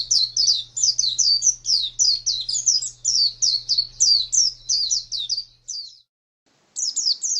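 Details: Pet contest white-eye (pleci): a rapid series of high, thin, down-slurred chirps, about three per second, breaking off into a short silence before a few more notes resume.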